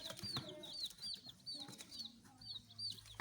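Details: Baby chicks peeping in a steady stream of high, thin chirps, many short downward-sliding notes repeated several times a second, with soft rustling and a low hum underneath.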